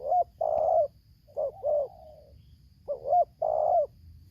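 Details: Tekukur, or spotted dove, in Lampung: a decoy facing a wild bird in the tarik akar selang nguku song style. Mellow coos form two phrases of a clipped double note and a drawn-out, slightly trailing coo.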